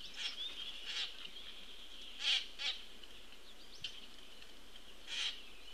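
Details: Begging from a juvenile Common Grackle being fed by its parent on 22 June 2018, early afternoon; scattered rasping squawks, one close pair of bursts midway, over a constant high whine and faint background chirps.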